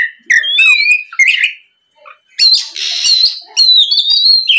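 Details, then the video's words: Oriental magpie-robin song used as a lure to get other magpie-robins to reply: clear whistled slurs, a harsh raspy burst, then bright rising whistles after a short silence. "MEMANCING KACER BAHAN AGAR MAU BUNYI LANGSUNG NYAUT, SUARA PIKAT BURUNG KACER GACOR NGEPLONG"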